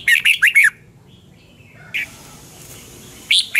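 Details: Morning training song of a Red-whiskered bulbul, double-twist voice style, 2020: a quick run of four bright warbling notes, then a silent gap and a few isolated, short chirps.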